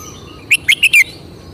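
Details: Caged red-whiskered bulbul giving one brisk phrase of four clear whistled notes, the last one drawn out and falling, over a faint steady background hum.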